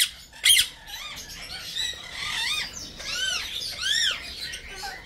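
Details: Small pet Senegal parrot chattering: a sharp squawk at the start, then a run of soft arched whistles and squeaky notes, rising and falling, fairly continuous.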